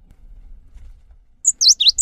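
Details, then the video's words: Cinereous tit (gelatik batu) song used as a lure to get other cinereous tits singing; after quiet, four rapid high chirped notes, some swooping down then up, packed into about half a second. "PANCINGAN GELATIK BATU | GELATIK BATU LANGSUNG GACOR SETELAH MENDENGAR INI DIJAMIN"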